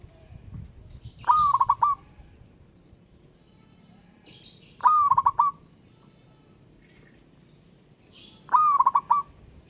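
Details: Local wild zebra dove singing actively to call a rival: three repeated phrases about three and a half seconds apart, each a whistled rising note dissolving into a fast stuttering series of short coos, with soft chirps alongside.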